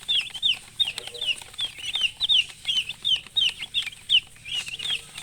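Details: Chicks kept with a hen give rapid high peeps, short downslurred chirps repeated about three times a second in overlapping bursts, loud and continuous.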